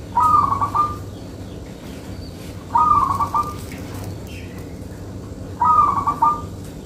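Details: Local Indonesian zebra dove singing steadily, kept for luring: three short bubbly cooing phrases, each a quick stuttered burst with a rolling finish, spaced about every 2.7 seconds over a steady low background hum.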